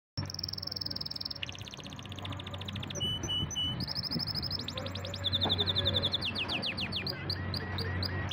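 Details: Pet canary described as a champion singer, performing a varied song: a long sustained whistle, then rapid buzzy trills, clipped repeated notes and sweeping downward slurs, each phrase changing every second or two, over a low steady hum.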